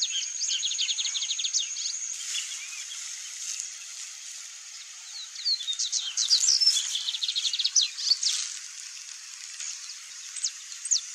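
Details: Chalk-browed mockingbird (Mimus saturninus), free-living, pouring out a long, jumbled song of fast chattering bursts, sharp whistles and scratchy notes that start, pause and start again, against a continuous high insect-like whine.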